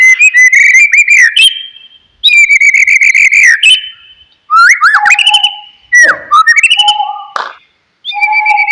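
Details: White-rumped shama singing loudly in rich bursts of rolling, warbled whistles with buzzy overtones, separated by short pauses. The recording is meant to stir a silent bird to sing.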